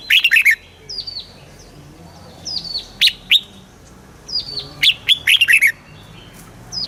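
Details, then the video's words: Red-whiskered bulbul singing in the southern master style, a recording meant to rouse caged birds and coach young ones: repeated short warbled phrases with sharp clicks, interspersed with thin high descending whistles from another bird. "เสียงนกกรงหัวจุก สำหรับต่อ หรือ เปิดให้นกคึก เสียงเพราะๆ"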